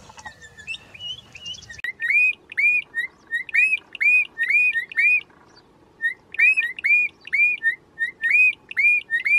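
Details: Bokmakierie in the wild, in forest, giving a loud song of clear whistled notes, each looping up and curling over, repeated about twice a second after a few quieter chirps at the start.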